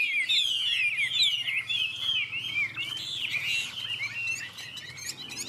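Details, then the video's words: Chinese hwamei in a two-bird singing contest, neither owned yet: continuous stream of rapid, looping whistled notes, slightly harsh and busy, fading somewhat toward the end. "Họa mi hót đấu"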